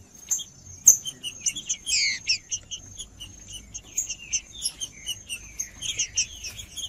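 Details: Trinca-ferro, the green-winged saltator, male singing to warm up other birds; a brief burst of quick slurred whistles followed by a string of short clipped notes repeated about twice a second, with a steady high hiss behind.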